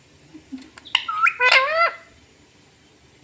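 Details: Pet parrot talking, saying "mummy": a quick run of harmonic, voice-like rising and falling syllables lasting about a second, preceded by a few faint clicks and followed by a brief tap, with a steady high hiss behind.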